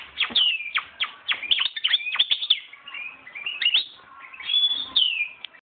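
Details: Hand-raised European goldfinch, born 2011 and coming into breeding condition, pours out a lively twittering song of quick chirps, liquid slurs and a drawn-out thin whistle toward the end, uninterrupted by other sounds.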